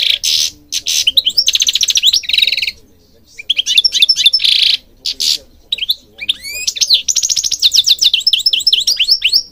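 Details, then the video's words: European goldfinch in Morocco delivering long bursts of song: fast buzzy rattles, sharp chirps and rising twitters, broken by brief silences. "Singing Goldfinch King goldfinch singing"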